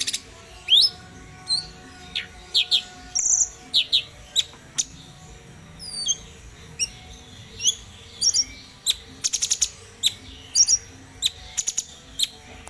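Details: Bulbul known locally as cucak cungkok, recorded as tutor material (masteran) for training cage birds to sing; sharp, rising whistled chirps and stuttered clicks come irregularly every second or so over a steady background hiss.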